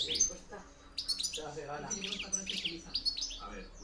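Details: Goldfinch song of the 'campero' decoy type, 2013–2014: crisp high tinkling notes and short twittery bursts separated by brief pauses, over soft music.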